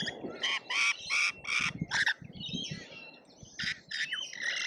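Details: Australian lorikeets squabbling at a feeder in a feeding frenzy, captured by a feeder camera: five harsh, buzzy squawks in quick succession, a brief lull of softer chatter, then more grating screeches.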